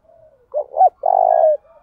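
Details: Spotted dove calling as a lure to provoke singing contests: one phrase of two brief, clipped low notes followed by a sustained, even coo, with faint soft cooing before and after.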